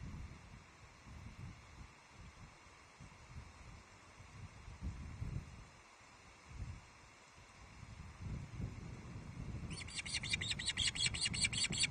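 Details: Ospreys at a Loch Arkaig nest on 19 July 2023, filmed by a livestream nest camera as the male delivers a big headless trout, the third fish, to the female and a newly fledged young bird; low wind rumble, then a fast, loud series of high chirps at the end.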